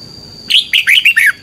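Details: Red-whiskered bulbul giving morning competition song used to stimulate other birds: a short burst of four or five bright, liquid warbled notes, rising and falling, over a faint steady high tone.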